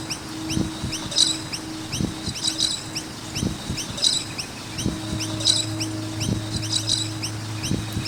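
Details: Noisy miners around a skate park chirp in sharp, high bursts repeated every second or so, several birds together, over thumps, clatter and a low mechanical hum.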